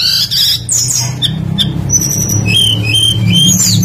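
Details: A singing tledekan, a blue flycatcher, used as a lure to make birds sing: high thin whistles and quick slurred phrases with a few buzzy notes, over a strong low hum.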